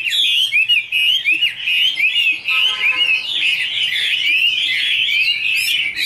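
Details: Female Chinese hwamei in song while a male sings behind her, giving fast repeated upslurred whistles in a steady bright stream, with a brief lower buzzy note midway.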